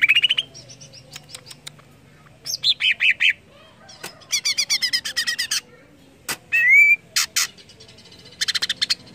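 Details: Greater green leafbird song, played to stimulate other leafbirds to sing: a lively, varied run of sharp chirps, buzzy rattling bursts and clear high whistles, including one rising slurred whistle, given in short separated phrases over quiet background.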